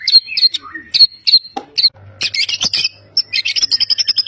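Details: Champion white-rumped shama from Medan, a competition bird known for mimicry, gives high clipped whistles, then a dense chattering burst and a fast run of evenly repeated high notes.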